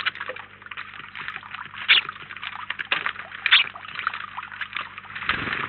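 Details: House sparrows, a flock of up to 19 birds at a feeder in Collado Villalba, give dense overlapping chirps throughout, with a couple of louder sharp notes standing out.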